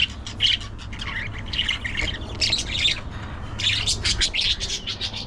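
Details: Lively budgerigar chatter: fast, overlapping squeaky chirps and buzzy warbles packed closely together, loudest in bursts near the start and middle, with a low hum underneath.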